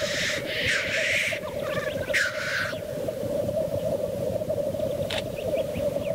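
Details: Black grouse at the lek: two rough hissing bursts come early over a constant, low, gurgling bubbling, followed by a short sharp note and some faint chirps as the display goes on.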